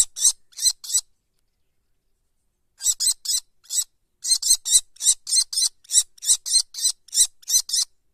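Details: Kestrel chicks in a nest, still covered in white down and watched over by their parents: bursts of harsh, rasping, high notes in quick runs of three to fifteen, separated by short silent pauses.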